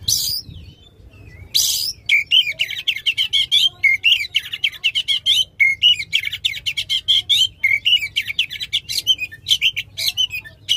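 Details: A caged oriental magpie-robin sings a loud, long run used to stimulate a non-singing magpie-robin: two harsh hissing bursts, then continuous rapid chirps and whistled trills pouring out for about nine seconds.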